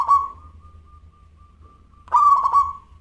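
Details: Zebra dove of local stock singing energetically with a crystal voice. The fading tail of one phrase is followed two seconds later by a full burst of quick, rolling coos that ends in a drawn-out note, over a low background hum.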